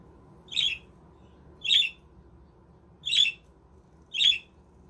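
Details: Budgerigars in a self-built aviary village utter four rasping, scratchy squawks spaced roughly a second apart, each brief and bright, against faint low humming noise.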